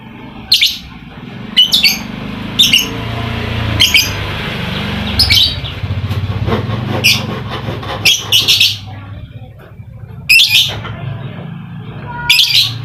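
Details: Lovebird sounds played as a lure for lazy, quiet lovebirds: harsh, screechy chirps repeated roughly every one to two seconds, sometimes doubled, over a constant engine-like rumble.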